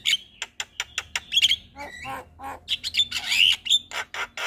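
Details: Javan myna with a morning call that gets other mynas answering: rapid dry clicks and rasps interleaved with clear whistled slurs and lower nasal notes, delivered in a busy, uneven stream.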